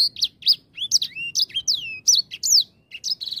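A grey singing finch sings a fast, varied warble of high slurred whistles, rising and falling sweeps and short buzzy trills, with no other clear sounds.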